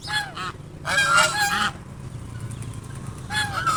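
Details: Two swans sheltering from the sun under a bush, calling to announce their presence. Loud nasal honks come in three bursts over a low background rumble.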